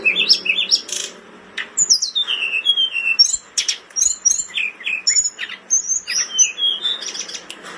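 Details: Blood-breasted flowerpecker in breeding condition, singing intensely for tutoring: a nonstop stream of sharp, high, sliding whistles and clicking chips, with a faint low hum beneath.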